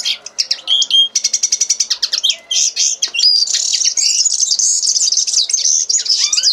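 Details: Common linnet song beginning with a rapid series of dry clicking notes, then a few slurred whistles, flowing into a dense high twittering warble of trills and buzzy chatter to the end.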